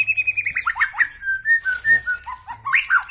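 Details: White-rumped shama from Bahorok, Medan, singing a run of clear whistled notes, sliding and repeated rapidly, with some rising phrases and a few higher flourishes.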